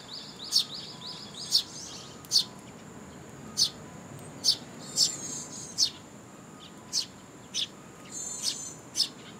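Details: Sparrow chicks and fledglings begging as parents bring food at a Tenmangu shrine on 2 July 2022; a steady series of thin, high-pitched chirps about once a second, with faint softer twittering between them.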